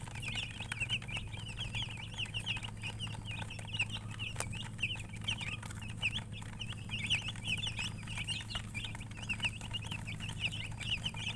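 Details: Many baby chicks peeping in a continuous chorus, clipped high chirps packed closely together in uneven bursts, with a steady low hum underneath throughout.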